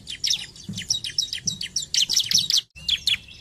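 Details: Bar-winged prinia (Prinia familiaris) song, played to stimulate other prinias to sing: a rapid, busy stream of high, sharp chirps and twittering notes, barely pausing, with one brief break near the end.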